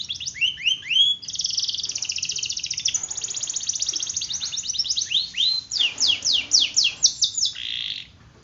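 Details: Canary singing long rolls in a training recording that encourages other canaries to sing. Swooping whistles give way to a long buzzy rapid trill, then a run of loud descending chirps, with the song ending abruptly.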